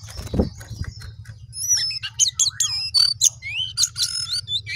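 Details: Lively song of a sooty-headed bulbul in full voice: after a soft start, a rapid run of high, twisting whistled notes rising and falling, some with lower echoing tones, over a faint background hum.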